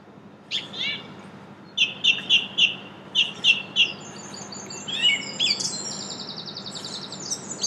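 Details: Song thrush (Turdus philomelos) singing in Brussels, Belgium, in April 2016: bright, high phrases, each short motif repeated three times in quick succession before switching to a new one, over a faint low hum.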